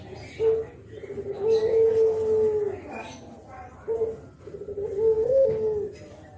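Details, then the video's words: Spotted dove nodding and calling 'kuk geruk' as a lure for wild spotted doves; two mellow low phrases, each a clipped opening note followed by a longer purring coo with a small upward inflection before fading. "KICAU KUK GERUK BURUNG JAWA BRENGGOLO"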